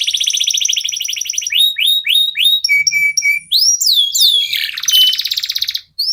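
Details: Local canary (kenari lokal) in full song, used to prompt other birds to sing; buzzy high trill, a run of rising slurred whistles, short steady whistles, then a dense rolling trill.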